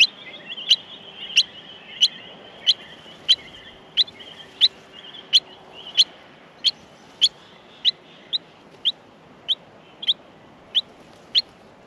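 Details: Nestling Australian miners at feeding time keep up a long run of sharp high chips, nearly twenty in twelve seconds, steady and insistent over a faint sustained whine.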